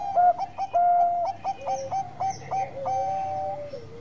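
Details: Bangkok-type zebra dove singing energetically as a lure: a long pure coo, then a string of short clipped coos stepping into lower sliding notes, with a second voice overlapping throughout.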